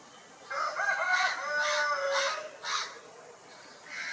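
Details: Italian and desi chickens on an Indian poultry farm, crowing while establishing territories: one loud, rich, harmonic crow held for about two seconds, then a few short, bright squawks over steady background hiss.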